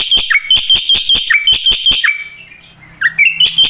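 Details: Black-winged myna in lively, imitation-filled song used to tutor other birds; steady sharp clicks with bright whistles and downslurred notes, a short pause, then rising chirps resume.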